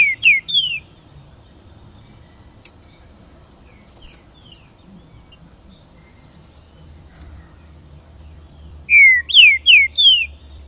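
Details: Pixarro, praised as a strong singer, gives short bursts of loud clear downslurred whistles, one group at the start and a quicker series of four or five near the end, separated by a long quiet stretch with faint background noise.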